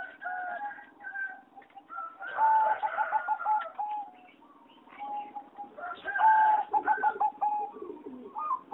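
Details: Several caged singing zebra doves of a competition breed in a flight aviary, 26 April 2014; two loud bouts of staccato cooing about four seconds apart, separated by quieter overlapping coos from other birds.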